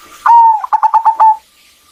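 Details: One phrase from a female zebra dove calling a male to sing: a long level coo followed by five fast evenly spaced pulsed notes and a final held note.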